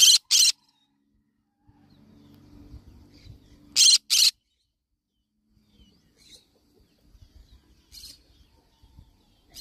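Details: Two loud doubled screeches, harsh and grating, from a yellow-sided conure parrot about four seconds apart, then softer distant squawks and light clicks.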